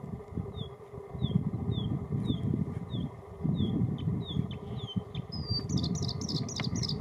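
Bluethroat song: about ten thin, high, downslurred notes repeated twice a second, then a quick burst of higher, varied twitters, over a heavy low wind rumble.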